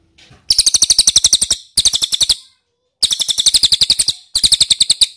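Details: Ashy tailorbird call used to lure birds into replying: four separate bursts of rapid, high, chirping notes, each about a second long, divided by short silences.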